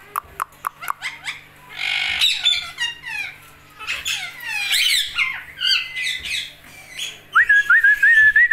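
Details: Indian ringneck parakeet chattering speech-like sounds with squeaks and clicks, ending in a wavering whistled phrase; a low hum in the room.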